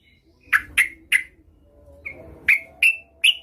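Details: Female yellow-vented bulbul calling to a male: three sharp, bubbly notes, a pause, a soft note, then three more, each short and bright.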